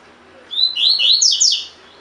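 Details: Tui tui fibra song of a caged collared seedeater for training other birds: a single dense phrase of about a second, rising clear whistles climbing into rapid, sharp, high twitters.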